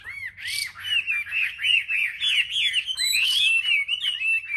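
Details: Caged Chinese hwamei in singing contest at a bird market rack, selected birds: opens with clear looping whistles, then a fast, unbroken stream of ringing slurred notes and warbles.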